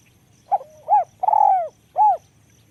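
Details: Spotted dove, described as small-voiced, repeating its coo phrase: a short note with a low connecting murmur, an arched coo, a long wavering descending coo and a closing rounded coo. Faint insects tick in the background.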